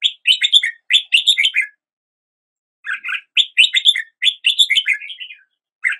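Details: Red-whiskered bulbul singing two lively bursts of rapid, bubbly whistled notes, each about one and a half to two seconds long, separated by a silent pause of over a second; no other sounds present.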